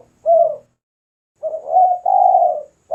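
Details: Cooing of a lively spotted dove for bird luring and song training: one short falling coo, a pause, then a phrase of a low note, a swelling rising coo and a long even coo.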